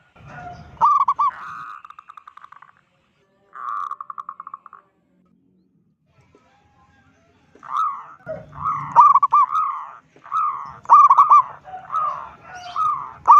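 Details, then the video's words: A loud local zebra dove provoking call: two stuttered trills, a few seconds of near silence, then a lively run of clipped coos and short rolling trills with a soft low hum. "Perkutut lokal gacor suara besar - Panggilan perkutut Ampuh BIKIN PANIK perkutut lain"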